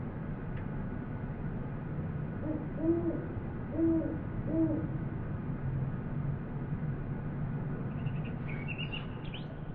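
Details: Great horned owl in New Mexico, field recording made on a Sony PCM D100: three low, soft hoots in a row near the middle, over steady low rumble, with a brief higher bird twitter near the end.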